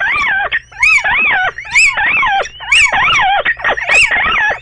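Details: Two little owls indoors in a bedroom, loud wailing calls that rise and fall in arched sweeps, repeated about once a second with overlapping voices.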